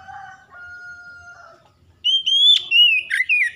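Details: Oriental magpie-robin kept as a songbird: two soft steady lower whistles first, then a loud bright phrase of high slurred whistles and warbles.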